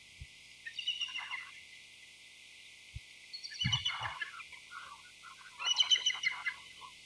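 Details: Bald eagle pair communicating, giving three bursts of high, thin chittering notes spaced a couple of seconds apart, each a quick run of descending chirps, over quiet background with occasional low taps.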